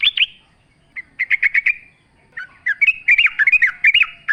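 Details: Yellow-vented bulbul song used as a lure for training, with bright bubbling phrases near the middle-high range, short chattering bursts and warbled notes in quick runs separated by brief pauses.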